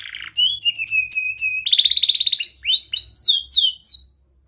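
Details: Young canary singing tight rolls and chirps, played as training for other canaries learning song: a buzzy opening, rapid repeated whistled notes, a dense fast roll, then sweeping descending chirps.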